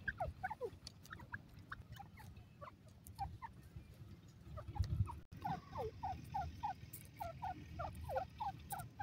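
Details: Grey francolin (Indian francolin, Dakhni teetar) calling in loud, ringing notes repeated rapidly in short bursts, over a steady low rumble.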